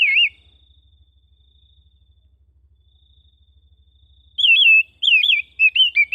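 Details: Home-kept Oriental magpie-robin: one wavering whistled note, a long quiet gap with a faint steady tone, then a lively burst of repeated looping whistles.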